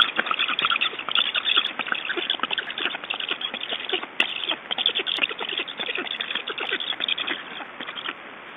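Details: Estonian black storks at the nest during a feeding on 6 July 2012, afternoon: continuous rasping, chattering bursts, busy and overlapping, thinning slightly toward the end, with a few sharp clicks.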